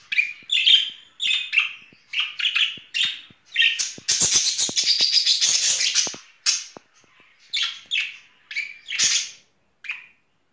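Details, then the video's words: Pet budgerigar pair courting in spring: a steady run of short chirps, about two a second, swelling in the middle into a dense, noisy chattering burst, then spaced chirps again. "Blondie und Tom haben Frühlingsgefühle"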